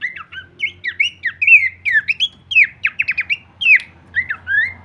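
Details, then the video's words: Kleperan-style song of a Horsfield's babbler as songbird training audio: short bouncy whistled notes and quick slurs in uneven clusters, with a few rapid ticking runs, over a faint low hum. "masteran andalan khas burung pelanduk semak suara full variasi kleperan"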